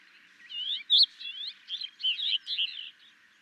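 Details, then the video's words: Sykes's lark, or tawny lark, in Gujarat, India, delivering a fast, continuous warble of slurred, chirping and trilled notes. The notes are closely packed with small gaps, and there is one sharp, louder note near the start. "Tawny Lark and its Song"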